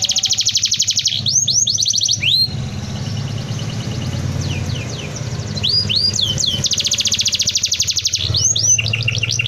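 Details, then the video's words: Dense rolling canary song meant for tutoring other birds. Long rapid trills alternate with bursts of quick upward-sweeping whistles, and there is a softer, murmuring passage in the middle with a low hum underneath. "BURUNG KENARI ⁉️ SUAra NGEROL PADAT COCOK UNtuk Masteran"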